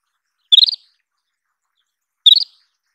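An Isabelline wheatear gives two quick bursts of about five high, slightly rising chipping notes, nearly two seconds apart, against a silent background.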